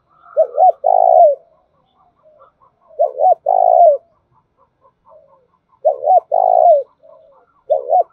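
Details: Spotted dove calling in the 'thổ đồng' voice style, a lure to stimulate other doves to call: low, hollow coo phrases of a short double note then a longer drawn-out coo, repeated about every three seconds, with faint soft chirps between.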